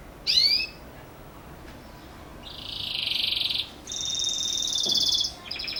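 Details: Belgian canary singing in the campainha (bell) style, suited for young birds: a short bright upslurred note, then a long buzzy rolled trill and a steady high ringing tour.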